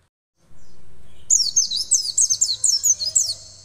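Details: An Oriental white-eye in training, answering right away with a quick run of very high, thin twittering notes, about four per second, over a low background hum.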